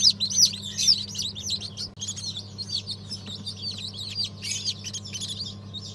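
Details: Fresh hatch of chicks, mixed chicken breeds including Habeş, Sultan and İspenç, 1 December 2022: a crowd of shrill peeps, a few louder piercing ones at the start, over a constant low machine hum.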